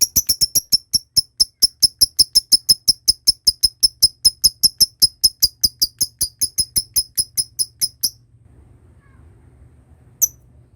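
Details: Lovebird giving a long ngekek trill, used as a lure sound to train other lovebirds: sharp high chirps repeated about five times a second for eight seconds, then a pause and one last chirp.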